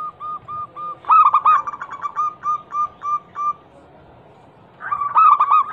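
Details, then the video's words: Zebra dove lure for quiet birds, a lively female calling a male: soft even coos lead into a loud stuttered burst and a trailing row of clipped notes, another burst starting near the end. "Atasi burung perkutut MACET BUNYI - Pancingan Manjur Langsung Nyaut"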